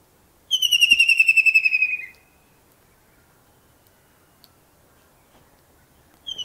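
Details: Early-morning kingfisher in Pakistan sitting and calling: a single fast, sliding-down trill of pulsed whistled notes lasting under two seconds, then quiet until another trill begins at the end.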